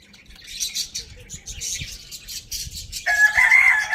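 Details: Pet Lohmann Brown rooster crowing in the morning at Lalukhet bird market: after three seconds of dense high budgie chirping, a loud harmonic crow begins and holds steady to the end, while small birds keep twittering.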